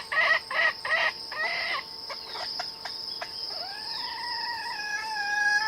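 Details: Wild red junglefowl drawn in by a decoy during trapping: three loud harmonic bursts in the first two seconds, then a long, drawn-out tonal note, over a steady high insect buzz and scattered bird chirps.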